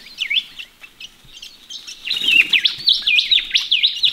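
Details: Several ring-necked parrots bathing in a pond on a chilly morning in Australia give repeated bright chattering calls, with quick up-and-down whistled notes. The calls grow louder and denser in the second half, with faint splashing underneath.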